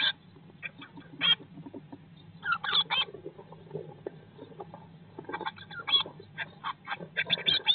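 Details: Eurasian blue tits in their nest box, day 19 after hatching in spring 2022: bursts of scratchy, clipped chirps, sparse at first and then denser, backed by a faint hum and shuffling.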